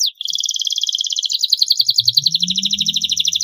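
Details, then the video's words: Young-canary training recording of canary song: an unbroken, fast, rolling trill of bright pulsed notes repeated many times a second, with a low hum creeping in near the end. "masteran kenari durasi panjang, masteran kenari paud agar cepat gacor"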